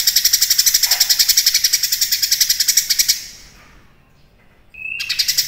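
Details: Cucak kinoi singing in a lively, full-voiced style: about three seconds of rapid, dense buzzy rattling pulses, then a short pause with a brief clear whistled note before the rattle resumes.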